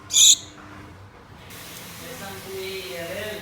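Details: Pet Gouldian finches, a pair of two kept indoors, calling to a mate: one short, loud, high-pitched note with two bright stacked tones near the start, then quiet hiss with faint low background murmur.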